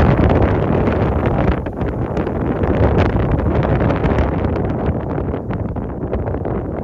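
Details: Strong, steady wind roars across the microphone on a hike, with no geese or other animal calls audible.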